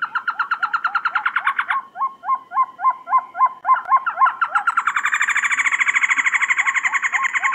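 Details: Trogon calling: a fast rattling series of buzzy notes, then evenly spaced downslurred hooked notes at about three per second, then a denser chattering run with a thin high whistle-like overtone above it.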